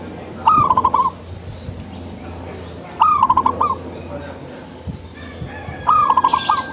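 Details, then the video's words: Zebra dove in vigorous song (gacor): three rippling coo phrases, each a rapid series of soft bubbling notes trailing into a steady tone, spaced about three seconds apart over light background noise. "gacornya perkutut ini"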